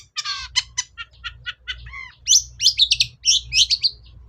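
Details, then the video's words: Long-tailed shrike lure song, meant to make a quiet shrike answer: a fast series of dry clicking notes, one low downslurred whistle, then a jumble of high squeaky chirps. "SUARA PIKAT CENDET SUSAH BUNYI"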